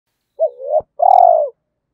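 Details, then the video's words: Spotted dove cooing, a recording played to stir decoy doves into calling, in the Vietnamese 'giọng thổ' voice style: a low wavering coo, a short break, then a longer sustained mellow note. The background is silent. "Tiếng chim cu gáy kích bổi hiệu quả mỗi ngày mở là gáy"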